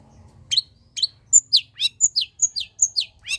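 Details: Long-tailed shrike singing lively pastol gacor song, a lure for lazy shrikes. Crisp, loud, high chirps alternate between short whistled pips and downslurred notes, delivered in an even series about three per second after a brief low hum.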